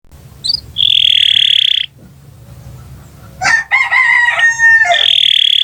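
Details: Canary song recorded for tutoring birds that have stopped singing. A long, high, steady rolling trill is followed by a pause, then a lower ringing chatter, and the high trill returns.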